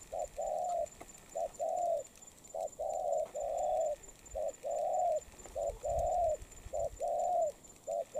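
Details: Spotted dove, recently captured and molting, cooing quickly and steadily. Short clipped notes alternate with longer mellow hoots in regular pairs, about eight phrases in close sequence.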